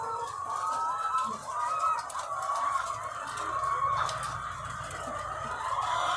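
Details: Egg-laying chickens in their thousands on a farm, their massed clucking and thin drawn cackles forming a steady, even chorus over a faint low hum.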